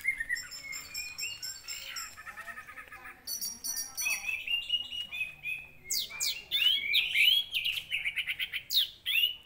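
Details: Orange-headed thrush, in a recording used as a lure to provoke other birds into agitation and song, pours out a fast, varied song of clear whistles, sharp chirps and rich warbled phrases with hardly a pause.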